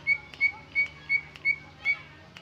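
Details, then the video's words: Greater green leafbird singing its original song without imitations: six clean, bright whistled notes, each brief and level, spaced roughly every third of a second, with soft clicks between them. "Suara Cucak ijo Original tanpa isian"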